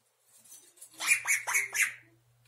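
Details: Indian ringneck parakeet, 11 months old, just beginning to talk, says "птичка" (Russian for "birdie"): four quick raspy, voice-like syllables after a few soft quieter notes, with a steady low hum indoors.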